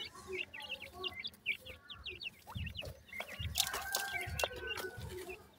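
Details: Grey francolin chicks calling their mother, a run of clear high peeps repeated about every quarter second. Rustling, thumps and a steady tone take over in the second half.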